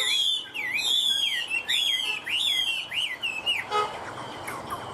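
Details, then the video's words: Caged Chinese hwamei singing nonstop on an overcast, drizzly afternoon, its voice even and richly ornamented: loud, looping whistled phrases swooping up and down, repeated over a second or so each, then breaking into quicker, sharper notes near the end. "Họa mi hót như máy - Hót ko bỏ mỏ"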